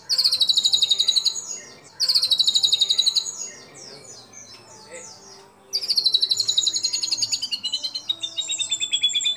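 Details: White-rumped shama whose song holds imitated calls of other birds, recorded to train and prompt other shamas; high buzzy trilled bursts repeated quickly, with a quieter pause of scratchy twitters between phrases.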